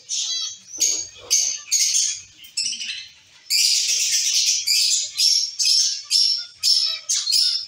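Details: Zebra finches kept as a colony in a cage, giving dense nasal, honking chirps at high pitch, many birds overlapping in quick irregular bursts, about two per second, with near-continuous chatter mid-clip.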